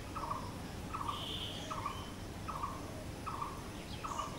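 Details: Blue-throated barbet (bosonto bouri) calling in a regular run of six short, hollow mid-pitched notes spaced under a second apart, plus a brief high trill from another bird and steady low rumble.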